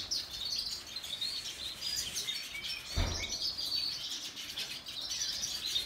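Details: Outdoor aviary holding female and juvenile siskins of different species, a steady chorus of high, thin twitters and chirps from several birds. A brief low thump sounds midway.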